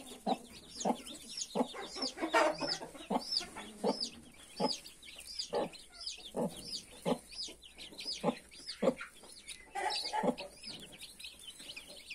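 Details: Mother hen with 31 newly hatched chicks: low short clucks repeated roughly every half second under a dense layer of high, arching chick peeps throughout.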